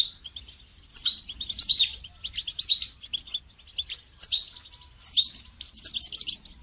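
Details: Goldfinch song played for training songbirds: rapid, bright twittering phrases in bursts around one second long, with sharp high notes and short pauses between bursts.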